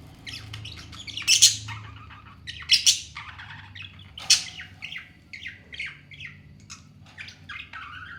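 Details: Two pet talking parrots squabbling in a playful fight: harsh, buzzy squawks in loud bursts, with bright chattering notes and short rising and falling whistles between them. A faint low hum sits underneath.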